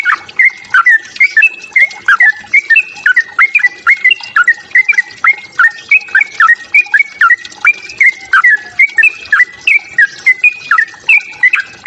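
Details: Sooty-headed bulbul fighting song meant to provoke other birds: loud, repeated short whistled phrases with sharp up-and-down notes, steady and busy throughout, little background noise.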